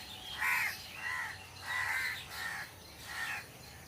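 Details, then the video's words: Crows among trees calling: five harsh, nasal caws, each under half a second and spaced roughly every three-quarters of a second, over a quiet background. "Crow Sound Crow Ki Awaj"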